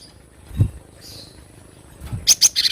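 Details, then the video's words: Cinereous tit (glatik batu) from a wild recording used for training caged birds: faint low thuds and a soft hiss, then two piercing upslurred chirps and a quick buzzy chatter of several harsh notes at the end. "glatik batu dengan suara asli alam liar"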